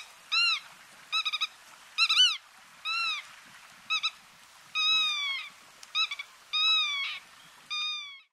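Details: An Icelandic Black-tailed Godwit (Limosa limosa islandica) on the Vatnsnes Peninsula, Iceland, in June 2019 gives nasal, rich-toned calls. Some are single and drawn-out, others quick doubled or tripled bursts, repeated every second or so against a quiet background.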